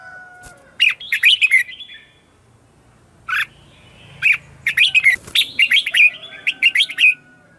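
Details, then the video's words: Morning song of a red-whiskered bulbul lure bird in the 'ché' style, for calling wild bulbuls and spurring caged birds to sing. Lively clipped, warbling note groups, sparse early, then a dense rapid run of chirps toward the end. "Luyện chào mào hót sáng - CHÉ GỌI BỔI CĂNG ĐÉT"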